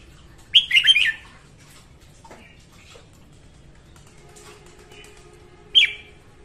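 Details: In the morning a female red-whiskered bulbul sings, a recording used to train birds and lure them to traps: a loud rapid trill of looping whistles, a long pause, then one short sharp phrase.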